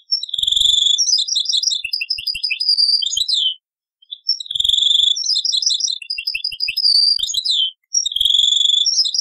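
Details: Taqsrayn-style European goldfinch song from an old cassette tape: two long bursts of quick liquid twitters and jangling trills, separated by a short pause, with faint low thumps underneath.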